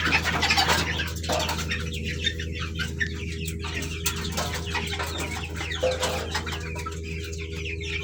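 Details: Colourful baby chickens peeping together: a dense, rapid stream of thin high chirps, several every second, from many chicks at once, over steady low humming and rustling background noise.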